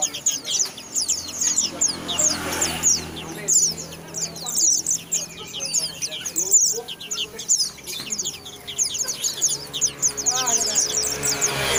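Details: Rapid high-pitched white-eye twittering, streams of quick downslurred chirps in bursts, broken by brief clicks and knocks and a soft low hum in the background.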